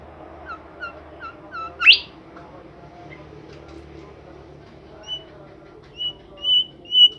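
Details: Bimoli bird described as singing actively, giving a run of short evenly spaced high chirps, one sharp rising note, then a few clear whistled notes near the end over low background hum.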